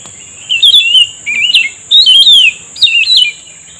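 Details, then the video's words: Cucak rumbai tungging singing during lure trapping, its 'deadly seduction' song: three bursts of rich warbled, bubbling whistles rising and falling, each about half a second long, over a steady high electronic whine. "pikat burung cucak rumbai tungging udah mengeluarkan rayuan mautnya"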